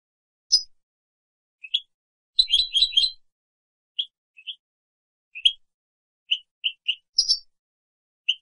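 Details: European goldfinch on a 2017 training recording for captive birds, producing scattered high chirps and tweets with one short burst of quick twittering early on. The notes are spaced unevenly and the background is silent.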